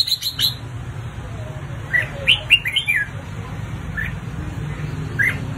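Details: Red-whiskered bulbul singing in a fighting, provoking contest style, giving short, bright whistled phrases of quick rising and falling notes, loosely spaced, over a steady low hum.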